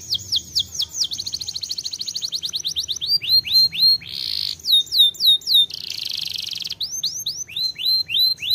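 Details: Canary pouring out loud swooping whistles, a long fast rolled trill, repeated downward slurs and two harsh buzzy bursts, the phrases changing every second or two.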